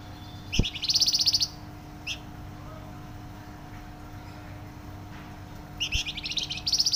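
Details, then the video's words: Flamboyan bird singing loud and dense: two bursts of fast, rattling high trills with rapid buzzy note series, separated by a quiet gap with a single short chirp, steady faint hum underneath. "Burung Flamboyan gacor suara nyaring dan rapat"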